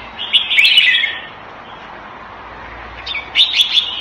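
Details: In Singapore, a Thai-style caged red-whiskered bulbul gives a rich warbled phrase, falls quiet for about two seconds, then resumes with another bright chattering phrase; faint clicks and low background noise.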